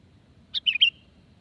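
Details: Sooty-headed bulbul giving a single brief phrase of three or four clear, slurred whistled notes, played as a lure so wild birds will respond; faint low hum behind.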